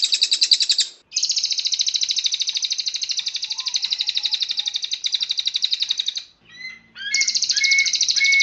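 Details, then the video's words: Cililin song used as a master recording for training songbirds: a long, high, rapid pulsing trill running about five seconds, a brief gap, then another fast trill with a few faint lower notes beneath it. "SUARA BURUNG - Masteran Terbaik Cililin"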